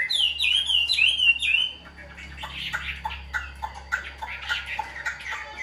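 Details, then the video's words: Hand-tame captive Chinese hwamei with a white wing feather: about two seconds of bright, looping whistled notes rising and falling, then quieter mixed chatter and voices in the room. "Chim thuần sách tay hót, đấu tốt"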